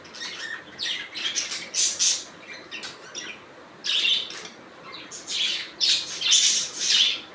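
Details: Budgies keep up a busy, warbling chatter of quick scratchy chirps and buzzy squawks, rising and falling in loudness with a brief lull midway.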